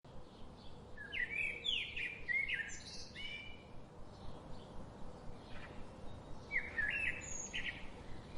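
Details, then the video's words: Birdsong of unnamed species: bright, rapid chirped and warbled phrases in bursts between one and three seconds, a second burst near seven seconds, over steady low rumbling background noise. "Bird Singing"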